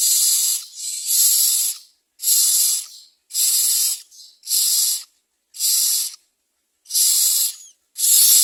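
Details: Myna chicks demanding food from their mother: loud, harsh, hissing bursts about a second long, repeated roughly once a second and separated by short silent gaps.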